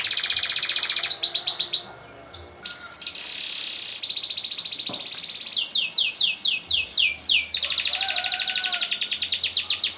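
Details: Canary in varied song with long rolls, meant for training birds and for contests: dense rapid trills, a brief pause, then series of swept whistles and extended high rattling rolls.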